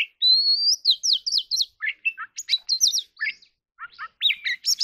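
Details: Oriental magpie-robin delivering fighting song: a long rising whistle, then fast scratchy trills and sharp chirps, a brief pause, and more bright varied notes; no background noise.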